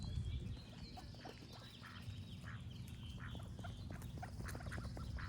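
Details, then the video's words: Duck quacking amid birdsong: short nasal quacks at an uneven pace over a steady low rumble, with faint high bird chirps in the background. "Cute Duck Quack Sound Effect with Birds Singing"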